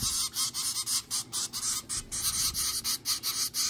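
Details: Hand-reared zebra finch babies at nine days old begging during feeding in a portable cardboard brooder; loud, raspy, hissing calls are repeated in quick rhythmic bursts around two per second without pause.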